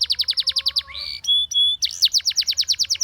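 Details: Spanish Timbrado canary singing for training: fast rattling trill of rapid repeated high notes, a brief sliding whistle, then steady pure tones and another quick repeated trill.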